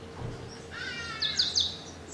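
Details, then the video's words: African pied wagtail in Gisenyi, Rwanda, in March 2013: a faint rising whistle followed by three sharp, bright high chirps in quick succession over light background hiss. "Bergeronnette pie (Motacilla aguimp) African Pied Wagtail"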